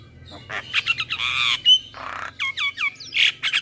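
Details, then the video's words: Male Javan myna singing in the morning, a full 'isian' tutoring song: harsh raspy squawks mixed with short downslurred whistles and a bright upward whistle, then a run of quick falling notes. "Masteran Jalak Pagi hari Dengan Kicauan jalak kebo Jantan full isian"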